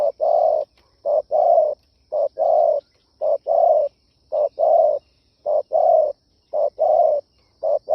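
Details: Repeated low, mellow coos of a spotted dove, given as a decoy-rousing call, paired short and long notes following one another rhythmically in a regular series across the whole stretch, background otherwise silent.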